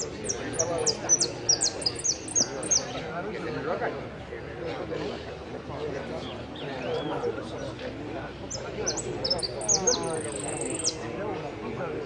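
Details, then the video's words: Contest hooded siskin, fifth in 'amarillo sin cierre' at Pirán on 15-01-17: a dense phrase of high chirps opens, chatter fills the middle, then more chips close with a drawn-out trill; crowd voices throughout. "amarillo sin cierre"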